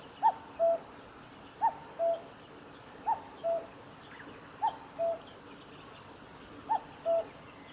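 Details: Steady cuck-oo song of a common cuckoo, Kitafuji Maneuver Area, Japan, 15 July 2019. Five paired calls, a brief higher first note followed by a held lower second, evenly spaced against a quiet hissing background.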